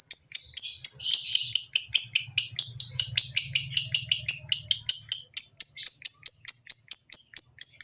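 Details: Ngekek chattering of a lovebird, used to get lovebirds singing: a long, fast run of shrill chirps that crowds together early on, over a low hum in the middle, then settles into a steady rhythm.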